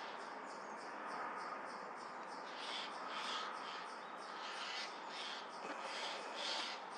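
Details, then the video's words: Eurasian jay giving alarm calls while wary of a Eurasian eagle-owl: a series of harsh, rasping, noisy screeches repeated irregularly about every half second over a steady hiss of background noise. "수리부엉이를 경계하는 어치"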